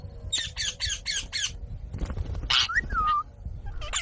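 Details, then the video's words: Green parrot vocalising: five rapid, harsh, evenly spaced squawks, a murmured stretch, then a noisy burst leading into a smooth falling whistled note. "Green Parrot talking Mummy | Parrot talking mitthu"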